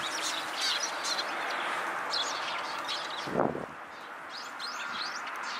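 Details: Eurasian tree sparrow puffed up round on a wisteria trellis, startled by a pigeon taking off, gives short, bright chirps in loose repeated bursts over a steady hiss, with one brief low thump.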